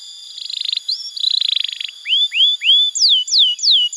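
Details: Canary song used as a tutor recording for young canaries and to prompt silent birds to sing: two short buzzy high trills, then a series of clear, rising whistled slurs followed by sharply falling whistled notes, each about a third of a second apart.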